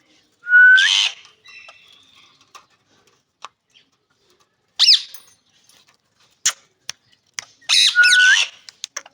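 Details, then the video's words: Green rose-ringed parakeet calling: three loud, harsh screeches spaced a few seconds apart, the first and last each beginning with a short rising whistle, separated by quiet stretches with scattered light clicks. "ring neck parrot"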